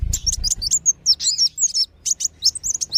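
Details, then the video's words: Sunbird lure sound for the kolibri wulung and sogon: hurried, irregular high-pitched chirps and thin whistled slurs, nearly three per second, with low rumbling at the start. "SUARA PIKAT BURUNG KOLIBRI WULUNG DAN SOGON"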